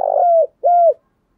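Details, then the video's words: Spotted dove giving a decoy call to lure wild doves: two low coos, the first rough and buzzy, the second smooth and bending downward at its end, with clean silence around them. "tiếng cu gáy gọi mồi"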